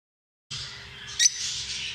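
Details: Lovebirds giving a continuous shrill, squeaky chatter after a half-second of silence, with one louder sharp squawk near the middle.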